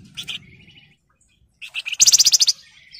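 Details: Flamboyan bird singing rapid nyerecet phrases meant to lure and tutor other birds: a brief chirp and thin whistle, then a rising run of about ten quick, shrill, clipped notes packed into half a second.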